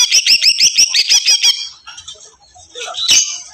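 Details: Loud song of a greater green leafbird: about eight quick, evenly spaced whistled chirps in the first second and a half, then softer scattered notes and a final sharp burst.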